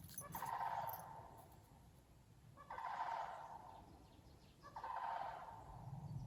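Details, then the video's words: Sandhill cranes in a flock, heard on a morning walk beneath a thundery September sky with a rainbow; three rolling, trumpeting bursts spaced about two seconds apart, softer and more distant, with low rumbling background noise. "a flock of loudly squawking sandhill cranes"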